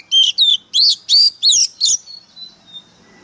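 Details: Oriental magpie-robin decoy singing hard: six loud, rich, evenly spaced notes, each a quick rising-falling slur, followed by a few thin fading whistles.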